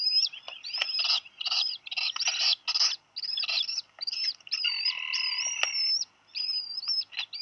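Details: Black guillemot chicks at a nest on Seal Island National Wildlife Refuge, Maine, USA, 8 July 2020 at 2:58 PM, after one chick dropped a fish: continuous high whistled peeping, wavering and overlapping, with brief gaps.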